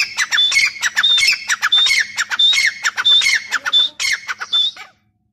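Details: Repeated harsh calls of a grey partridge, each a rasping burst with a bright whistled note falling in pitch, delivered in a quick rhythmic run for about five seconds before ending abruptly.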